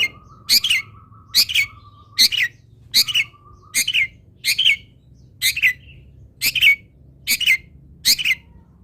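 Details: Long-tailed shrike tutor song for other birds to learn: a regular series of harsh, buzzy chattering notes, roughly one every 0.8 seconds, each with a bent downward tail, over a faint low hum and occasional steady tone.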